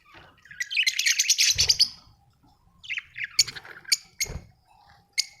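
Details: Budgerigar chirping with a loud, buzzy, grating warble early on, then gaps and clipped squeaks and sharp ticks, ending with a lone short chirp.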